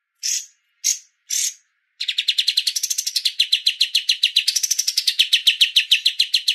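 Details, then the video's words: Streak-eared bulbul song with pauses: three short, harsh bursts separated by gaps, then a fast run of dry chattering notes, about five per second, with no other sounds. "MASTER KAPAS TEMBAK BERJEDA"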